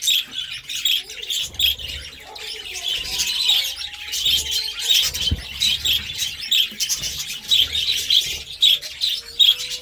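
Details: Budgerigars keep up a lively chatter of rapid high chirps and scratchy warbles, with a few thin whistled notes slightly lower and soft low rumbles between.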